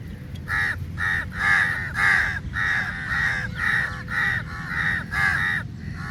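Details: Crows swarming food at feeding time: strong, harsh caws repeat almost rhythmically, about two each second, rising and falling in loudness, with a low hum beneath.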